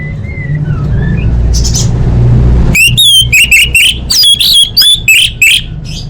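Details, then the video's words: Orange-headed thrush song meant to lure caged birds into singing: soft thin whistles, then a lively stream of loud, choppy, high whistled notes and slurs over a low hum. "Pancingan Anis Merah Paling Efektif: Meningkatkan Gacor & Kualitas Suara Burung!"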